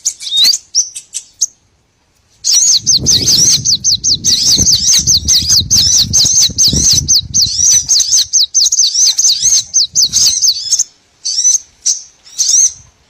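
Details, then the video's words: Small birds used as a trapping lure: a few high whistles, then a long unbroken run of rapid, upswept zipping notes lasting about eight seconds, over low background rumble, before scattered chirps return. "MP3 BURCIL COCOK UNTUK PIKAT SEGALA JENIS BURUNG KECIL"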